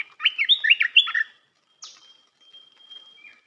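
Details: Red-whiskered bulbul training song for young birds. A rapid burst of five bright, bouncing, whistled notes is followed by a sharp downslurred chip and a thin, fading, level whistle.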